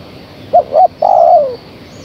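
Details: One phrase of a female spotted dove calling the male: two brief coos, then a sustained coo that gradually falls in pitch, with a faint high hum behind.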